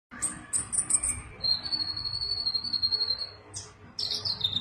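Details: Sunbird singing energetically in a high, rapid series: thin buzzy notes, then a long steady high whistle over a second, ending with bright chattering bursts; low rumbling background noise underneath.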